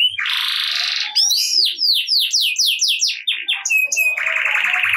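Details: Canary singing gacor ngerek style to trigger song in reluctant canaries: a harsh buzzy roll, a long series of rapid swept notes, then a dense buzzy trill to finish.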